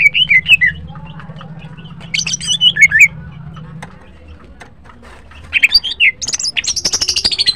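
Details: Morning song of a greater green leafbird (green cucak): sweet looping whistled phrases and sharp chirps in irregular bursts, with a harsh buzzy trill near the end and a low droning hum underneath at first.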